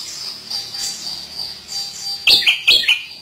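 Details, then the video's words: Chestnut-capped thrush (Zoothera interpres) in active song gives a quick burst of three or four loud, high, sharp chirping notes, preceded by a faint steady high hiss. "Anis Kembang Gacor Dorr Buka Isian (Zoothera Interpres Bird)"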